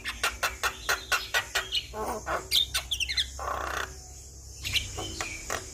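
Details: Javan myna sound played routinely to draw song from a stressed bird: a quick series of sharp clicking notes, a grating buzzy burst, then a few thin whistles, low hum beneath.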